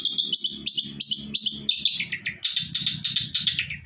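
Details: Shrike (cendet) song used as a lure to prompt other birds to answer: rapid high chirps and trills in quick succession, shifting to a lower run of repeated falling notes, with faint low hum beneath.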